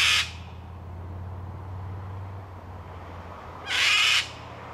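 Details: A cockatoo in a tree, complaining about a person's presence: two loud, harsh, raspy screeches, one at the start and another about three and a half seconds later, with a low steady hum underneath.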